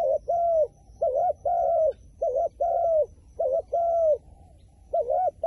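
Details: A wild pigeon repeats a two-part coo, a brief dipping note and then a longer level one, in a steady string of paired phrases over faint background hiss.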